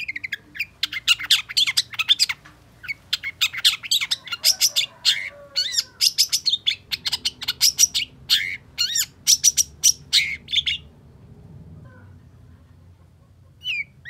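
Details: Long-tailed shrike singing hard and excitedly: rapid clusters of sharp varied chirps and harsh notes, a quieter pause with low background hum, then a single final note.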